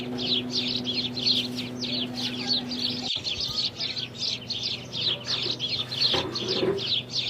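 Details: House sparrows in India chirp constantly, several birds overlapping in rapid, bright cheep notes, with a faint low hum early on.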